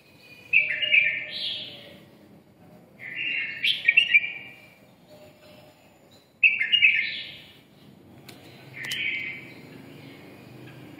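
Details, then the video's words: Red-whiskered bulbul, red-eyelid type, singing 'ché': three loud scratchy warbled phrases roughly three seconds apart, ending in a softer fourth phrase. "mí đỏ siêu ché"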